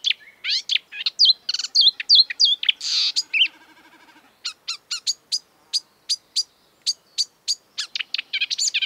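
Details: Energetic marsh warbler, a mimic of European and African birds, delivering a fast medley of whistles, trills and a harsh rasp, then a run of sharp, evenly spaced ticking notes.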